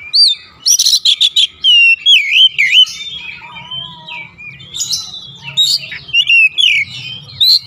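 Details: Oriental magpie-robin, kept bird, singing loud rapid chips followed by looping whistled phrases and a low, sliding whistle, varied and continuous, over a soft hum.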